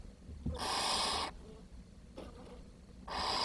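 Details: Barn owl chicks in a nest, where food is short and the youngest chick has died, give long, harsh, rasping hisses, each under a second, with a faint shorter hiss between them and a quiet background.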